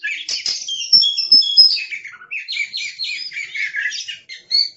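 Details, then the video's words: Aggressive caged Oriental magpie-robin singing a fast, continuous run of high whistled and scratchy notes, varied slurs and chirps tumbling rapidly over nearly five seconds. "Suara Master Burung Kacer Galak"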